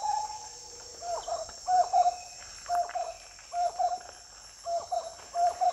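Marbled wood quail give low, rollicking, mellow phrases that repeat in quick bursts about every second, over a steady high-pitched insect drone.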